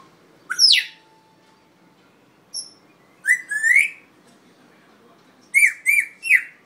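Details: Red-tailed African grey parrot whistling: a sharp downslurred note, a faint high peep, a rising whistle, then three quick upward whistled notes at the end, in a quiet room.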